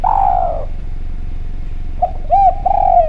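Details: Clear-voiced Javanese spotted dove used as a lure to make other doves call: a long, loud falling coo, a pause, then a short coo, an arched note and another drawn-out descending coo.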